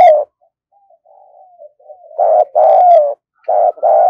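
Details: Spotted dove decoy bird cooing energetically to attract wild doves: one loud coo, soft murmured cooing, then a run of four strong husky coos in quick succession.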